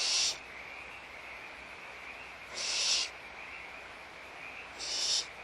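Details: A barn owl at feeding time gives harsh, breathy hisses, each about half a second long, repeated roughly every two and a half seconds over a steady background hiss.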